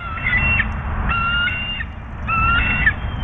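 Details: Bald eagle pair at the U.S. Steel nest incubating two eggs, recorded 05/03/2024, with a furry animal carcass brought for the female; three bursts of high, thin whistled notes over a steady low rumble of wind.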